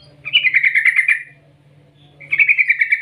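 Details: Yellow-vented bulbul gives a long rolling call, two bursts of fast, bubbling chatter each about a second long, over a steady low electrical hum; the call is used as a lure to prompt bulbuls to sing.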